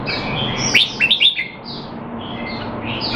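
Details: Red-whiskered bulbul kept caged in Singapore and being trained while out of form, 25 December 2020: a short burst of three or four sharp, downward-slurred whistled notes over a steady background hiss.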